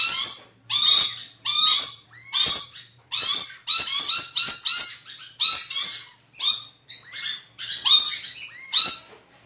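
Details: A tame pet red lory gives harsh, raspy, loud, high-pitched screeches, about one burst every second or less, sometimes run together in noisy strings.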